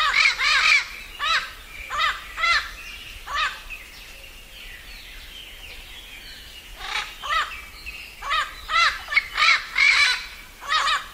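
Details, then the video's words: A parrot at dusk gives harsh, grating squawks in short bursts, about a dozen over ten seconds, with a quieter raspy stretch midway. "Som do papagaio ao entardecer"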